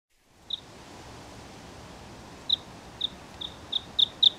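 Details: Bluethroat song opening: a few single high clipped notes spaced widely, then a quickening run of sharp ticks near the end, over a faint steady background hiss.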